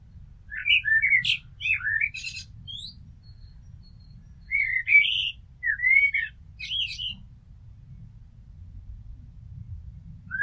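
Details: Common blackbird singing in mellow, fluted warbling phrases with brief high squeaky flourishes, each phrase separated by a few seconds of quiet; a faint low hum sits underneath.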